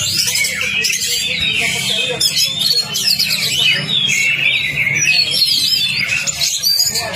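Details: Kacer lure recording, Oriental magpie-robin: seven seconds of continuous, varied whistled warbles, trills and harsh chattering notes, loud and unbroken, over a soft low drone.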